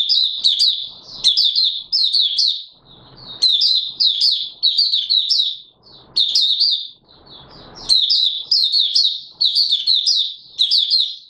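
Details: Oriental white-eye in full song, recorded 24 March 2022: rapid bursts of bright, high twittering notes with sharp upward flicks, delivered in phrases about a second long separated by short pauses, with faint background rustling between phrases.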